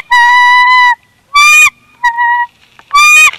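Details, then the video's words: Bald eagle pair at their nest at Big Bear, 26 February 2021, during second-clutch incubation as one bird gently pries its mate off the eggs; loud, drawn-out harmonic squealing calls, four bursts, the longest nearly a second, with short gaps between. "Big Bear Eagles🦅Sweet Nothings🎶Jackie Gently Pries Shadow Off The Eggs"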